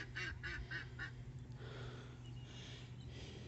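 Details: Canada geese on a lake on Saturday 5 June, one family group being noisy, give a quick run of four or five nasal honks, about four a second, then fade into a softer background murmur with a low steady hum.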